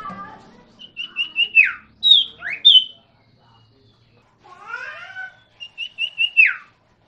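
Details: Common iora, known locally as sirtu or cipoh, gives quick stuttered high notes that end in a falling slur. High upslurred whistles follow, then a softer warbling phrase, and the stuttered pattern repeats.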